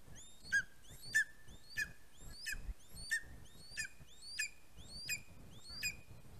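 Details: On 11 August 2020 a greater spotted eagle chick leaves its nest, caught on a live nest cam. About ten piercing, high yelps follow in a steady series, each a rising whistle ending in an abrupt downward drop, with faint low rustling beneath.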